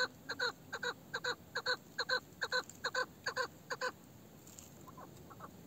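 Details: An old female chukar partridge with a male-like voice gives clean, evenly spaced chuckling notes, about two per second, for four seconds, then falls quiet except for a few faint soft notes.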